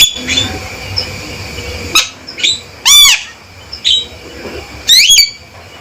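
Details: Male Javan myna giving loud, emphatic calls roughly every second: short harsh notes alternating with ringing, looping whistled phrases, spaced irregularly over low background hum.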